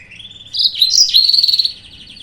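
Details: Yellow-fronted canary singing as a lure meant to provoke rivals into song: a high, thin whistled lead-in, then a loud warbling burst with a quick dip and a rapid series of repeated chirping notes before fading.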